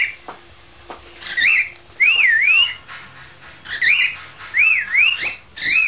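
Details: Indoor pet parrot in a singing mood, improvising on 'Spanish Flea': wavy up-and-down warbled whistles in short bursts, with harsher squawky notes between them.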